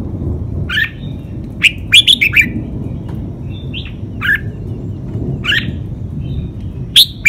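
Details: Red-whiskered bulbul training song, a five-syllable drawn-out master phrase: scattered short whistled notes and two-note chirps spread across the recording, with a fuller bubbly phrase near two seconds and steady low rumbling background noise.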